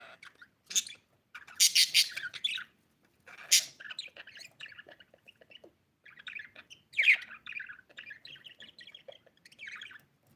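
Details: Budgerigar (Melopsittacus undulatus) chirping in bright, scratchy bursts mixed with quick warbled twitters.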